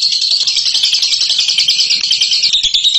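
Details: Champion bird singing in the ngekek style: a continuous, dense, high-pitched chatter of rapid rattling notes without a break for three seconds, slightly buzzy and even in pitch, with no other sounds.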